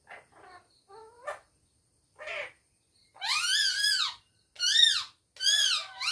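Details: Pet parrot vocalising at home: soft scattered notes at first, then three loud arched, harmonic calls, each about half a second to a second long, in a quiet room.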